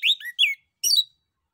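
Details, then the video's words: Orange-headed thrush male used to prompt other birds into answering: brief lively bursts of slurred whistles dropping in pitch, followed by a buzzy twittering phrase after a short gap. "SUITAN ANIS KEMBANG JANTAN DAN PANCINGAN ANIS KEMBANG GACOR"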